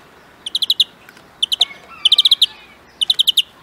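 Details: European greenfinch singing rapid groups of four to six sharp, ringing chirps, repeated roughly every half second to second, with a brief thin drawn-out note between groups; quiet steady background.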